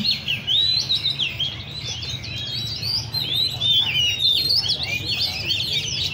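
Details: At a bird cafe in Le Thi Rieng park, caged Oriental magpie-robins (chích chòe than) sing in a busy, overlapping stream of short sweet whistles and warbled phrases, rising and falling rapidly, with a steady low hum.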